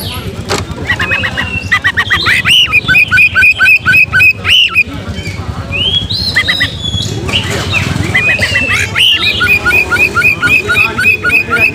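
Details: Oriental magpie-robin song meant to provoke young birds into fighting mood and open tails: rapid runs of bright whistled notes repeated several times a second, with pauses and a low background rumble.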